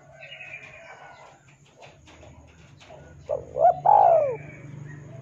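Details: Spotted dove singing to lure and train captive birds: one loud three-part cooing phrase near the end, with two short rising notes and then a longer falling coo. Faint chirping from other birds fills the first half.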